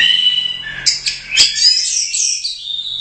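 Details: Orange-headed thrush, a first-place competition bird from the Royal Cup, pouring out a dense, fast stream of high, bright whistles and twittering notes with a steady faint hum beneath.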